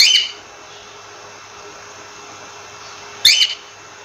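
A cockatiel gives two short, shrill chirped calls about three seconds apart, over a steady hiss of background noise.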